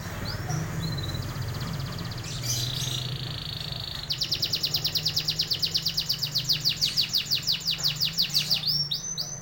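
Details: Canary song: brief high whistles and a buzzy passage lead into a loud, fast rolling trill of rapid rhythmic notes sweeping high and low, repeated many times per second for several seconds, over a low background hum.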